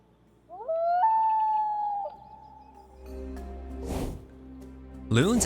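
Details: A Common Loon gives its long wail, used to locate family members across lakes at night, sliding up then holding a steady, wavering note; soft music plays underneath and a voice follows.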